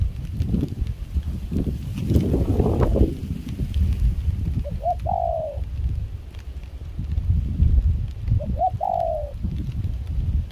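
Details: Caged spotted dove decoy singing in rain and chilly wind in Kon Tum, Vietnam, its voice a mix of foreign style. Two separate short coo phrases, each a quick double note then a longer falling coo, with heavy wind noise.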